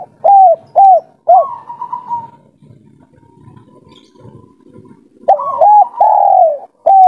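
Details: A local wild spotted dove of the three-note 'kuk 3' type coos softly to call a female: two short mellow notes, then a longer drawn-out, wavering coo, repeated after a pause, over a faint low murmur.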